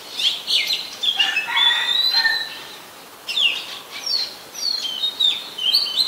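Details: Oriental magpie-robin, very common resident, Ubon Ratchathani, Thailand, 24 December 2020; mixed chirping and whistled phrases, some falling, with a short lull midway before scratchy, sweeping notes resume.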